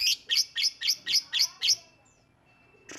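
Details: Lovebird calling, used as a lure to provoke other lovebirds into singing: seven sharp, high chirps in quick even succession over about two seconds, then quiet.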